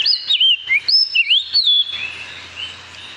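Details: Puerto Rican Oriole in the San Juan Bay Estuary, Puerto Rico, singing its melodic song, usually given in mornings and afternoons: a quick run of clear whistled notes swooping up and down, fading into a soft rushing hiss.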